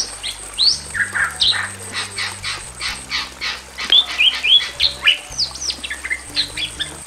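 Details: Male and female Bali mynas in a simple aviary cage: loud, harsh squawks mixed with sharp rising whistles and chattering notes, in quick bursts several times a second over a steady low hum.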